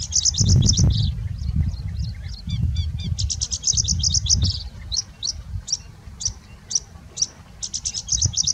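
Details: A Horsfield's bush lark in India pours out a fast, varied song of high chirps and trills with much mimicry, while a wasp passes by.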